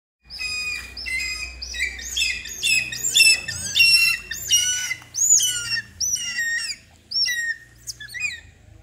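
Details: Trained hawk-eagle during a training session: a run of loud, harsh squawking calls with bent, harmonic notes, given roughly once a second in uneven bursts over a low steady hum.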